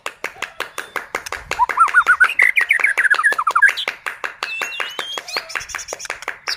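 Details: White-rumped shama singing in full voice to stir other shamas to sing: a fast stream of looping, warbled whistles over a steady background of rapid sharp ticks, ending in high thin drawn-out notes.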